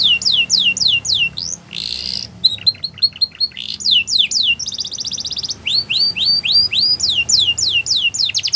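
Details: Border canary training song for young birds, fast falling whistled notes repeated in runs, a brief harsh buzzy burst, then rolling trills and more swept notes over low background hum.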